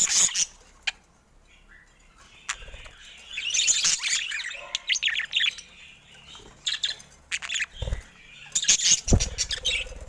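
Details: Budgerigars in a cage around a camera. Bursts of high scratchy twittering and squawks separated by quieter gaps, with a few knocks and low thumps among the calls.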